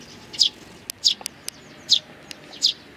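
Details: Sparrows, a balding adult with nestlings, recorded 8 May 2019: four short, bright chirps spaced irregularly over three seconds, with faint clicks between them and a quiet background.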